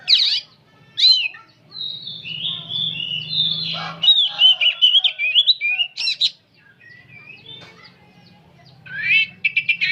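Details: An old oriental magpie-robin (kacer) sings nonstop: sweet rising whistles and slurred phrases broken by harsh chattering bursts, a brief lull, then buzzy repeated notes, over a low hum.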